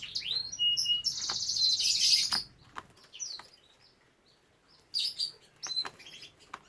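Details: Canary in a breeding room, opening with an intense high rattling trill that stops abruptly. About two seconds of near silence follow, then short sharp chirps and brief trill bursts resume.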